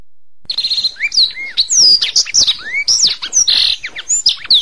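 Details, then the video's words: Canary song used as a masteran for training songbirds: lively, continuous high warbling mixing clear upward and downward whistled sweeps, buzzy rolls and quick chirps, with no other sounds. "Masteran Suara Kenari"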